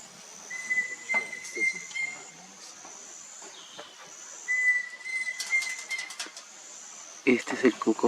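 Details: Pheasant Cuckoo singing near an oxbow lake in the Amazon of Loreto, Peru: two long, steady whistled notes at one even pitch, about four seconds apart, over a hissing forest background with rustling and handling noise.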